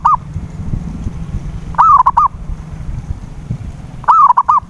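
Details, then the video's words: Zebra dove (perkutut) lure sound for prompting a silent dove to sing: three clipped, bubbling coo phrases spread across the clip, each a rapid string of rolling notes, with rumbling low background noise between them. "PANCINGAN SUARA PERKUTUT BISU"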